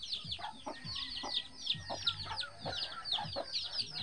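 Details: Free-range mother hen with her eleven baby chicks that follow her everywhere; a dense chorus of thin, high, downward-slurred peeps repeats rapidly throughout, with soft low clucks from the hen.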